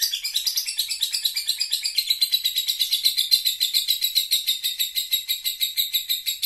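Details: Lovebird giving its long ngekek song: a rapid, unbroken chatter of shrill, buzzy notes pulsing about eight to ten times a second, steady in pitch and loudness throughout, with no other sounds.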